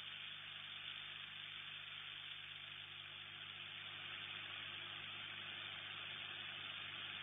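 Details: An even hiss with a faint engine-like hum underneath and no animal sound.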